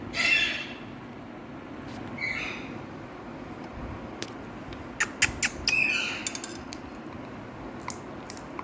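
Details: Hand-tame pet Indian ringneck parakeet talking, saying "Mithu Beti"; a short raspy voiced phrase at the start, another softer one after two seconds, followed by scattered sharp taps and clicks.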